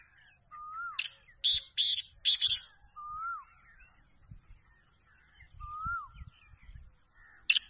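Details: From Pakistan, a black francolin utters a rasping four-part call, the last three bursts loud and grating, and begins another at the end. Between calls, a clear rising-then-falling whistle from another bird repeats about every two and a half seconds.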